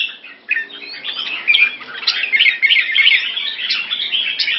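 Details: Molting red-whiskered bulbul in Singapore, 4 June 2017, pouring out a continuous bubbling, chirpy warble that builds after a brief opening note and stays busy to the end, in a quiet setting.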